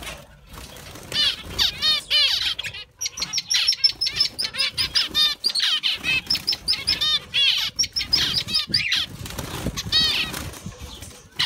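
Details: Zebra finches kept and bred in an aviary fill the air with dense chatter of nasal, toy-trumpet beeps and short buzzy phrases from many birds at once, with occasional wing flutters.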